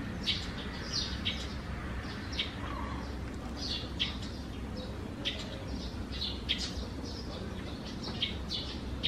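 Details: Morning chatter from sparrows with a nest tucked under the eaves, June 3, 2020: busy clusters of short, sharp chirps recurring throughout, several birds overlapping, over a constant low hum.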